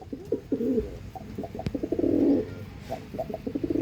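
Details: Andhra line pigeon cooing in pulsed, throbbing phrases, repeated several times with rising and falling loudness and a sharp knock midway.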